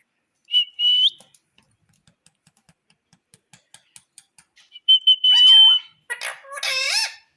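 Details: A pet Indian ringneck parakeet at home gives a high, steady whistle, then a run of soft ticks, and ends with harsh, screechy squawks sliding up and down.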